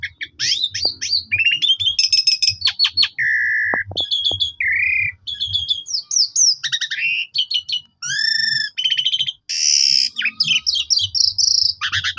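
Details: Black-collared starling song played to stir other starlings into full song: a dense, rapid medley of whistled slurs, harsh buzzy rattles, clicks and high sweeping notes almost without pause, soft low thumps in the background.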